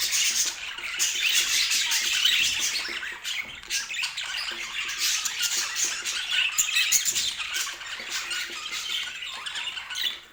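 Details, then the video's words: Domestic budgies chattering, offered as relaxing sound for sleep: fast, overlapping high twitters and clicky squawks in a thick babble that eases off briefly in the middle before resuming. "O Som dos Periquitos Que Faz Você Dormir Melhor"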